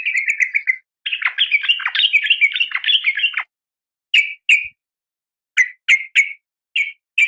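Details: Female yellow-vented bulbul calling the male, used to train caged birds. A chattering warbled run lasting over three seconds, followed by scattered single and paired harsh notes.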